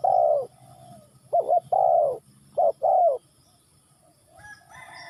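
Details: Spotted dove calling with mellow, hollow coos: a long falling note, then a stuttered double coo and further long croos, with a faint higher bird call at the very end.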